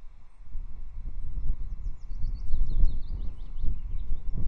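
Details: Calling Osprey at a Loch Arkaig nest, 23 May 2024, as an adventurous chick walks away and the mother brings it back; a quick string of thin, high chips in the middle of the clip over loud rumbling wind.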